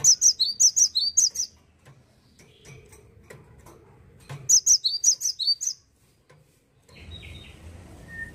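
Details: Cinereous tit, a bird said to be rarely found in gardens now, sings in Indonesia: two quick bursts of about seven sharp, high, two-toned chirps, separated by a few seconds of quiet, with faint low rumbling near the end.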